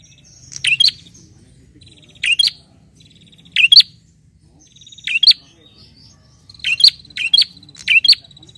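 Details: A bar-winged prinia challenges a rival with emphatic, explosive chirps, mostly doubled, spaced about every one and a half seconds. A faint, buzzy, high rattle is heard in the gaps between the calls.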